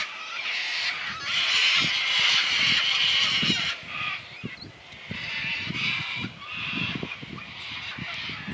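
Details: Sulphur-crested cockatoos in Tasmania, Australia, recorded 20 April 2004, giving loud, harsh, grating screeches overlapping in raucous bursts of about two or three per second, with brief quieter gaps between outbursts.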